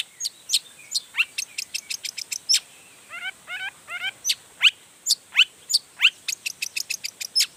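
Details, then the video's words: Long-tailed shrike singing hard to goad other shrikes into calling. Steady sharp ticking notes and upward-sweeping whistles run throughout, with a short patch of trilled warbling in the middle. "Toetan Cendet Gacor Full Emosi Bongkar Materi Bikin Cendet Lain Langsung Panas Nyaut Ikutan Bunyi"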